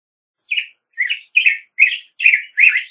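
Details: Black-headed grosbeak song: six rich, warbled phrases, each about a quarter-second long, sliding between mid and high pitch, coming in a quick, even series with short gaps and growing slightly louder toward the end, against a silent background.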